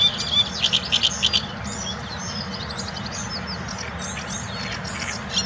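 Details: One of several Great reed warblers (Acrocephalus arundinaceus) singing in the palace park at Białowieża, Poland, on 13 May 2023: a quick, harsh run of repeated chirping notes, then scratchier grating phrases, over a steady low rumble.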